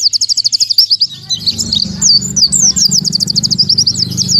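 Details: Oriental white-eye delivering 'tembakan tanpa nafas' song: an opening run of evenly spaced shrill chirps, then a denser, jumbled torrent of high squeaky notes, with a low droning hum beneath.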